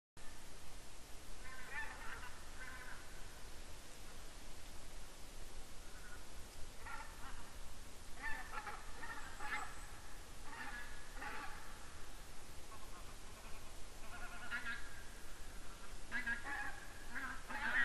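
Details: A flock of barnacle geese flies over in Estonia on 7 October 2019, giving short, yapping, dog-like barks over a steady low rumble.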